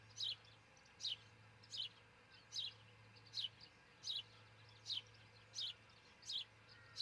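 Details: An osprey couple at a nest in Charlo, Montana, filmed by a nest cam at dawn on 22 June 2018. High, sharp chirps fall in pitch, nine in seven seconds, evenly spaced above a constant low hum.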